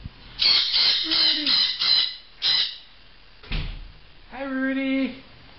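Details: Pet bird calling loudly indoors to get its owner's attention: a series of harsh, raspy squawks, then a long nasal honking call with stacked tones, while a person speaks softly to it.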